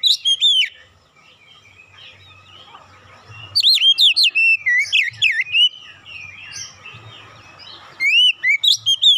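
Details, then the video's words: Oriental magpie-robin training-lure song containing imitated great tit song: bursts of sharp, rapidly repeated whistled and slurred chirps, high and varied, in three loud phrases separated by quieter stretches with faint low background hum. "PANCINGAN KACER ISTIMEWA BESET SUARA GLATIK BATU"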